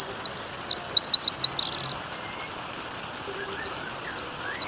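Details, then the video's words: Short bursts of high, sliding white-eye whistles: a quick run ending in a buzzy trill, a gap of more than a second, then another zigzagging phrase of rising and falling notes. "MASTERAN PLECI nembak panjang plus suara air membuat pleci buka paruh,pleci gacor dan pleci ngalas."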